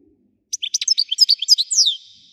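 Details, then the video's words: European goldfinch song: a fast, varied jumble of high twittering and tinkling notes, some buzzy, ending in a longer downslurred trill. "حسون ويداني حصري صوت مزلزل"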